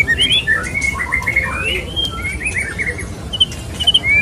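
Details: Male white-rumped shama (murai batu) wooing a female in a softer passage of its mating call, with gentle warbled whistles, drawn-out slurred notes and a few bright high chirps over quiet hiss.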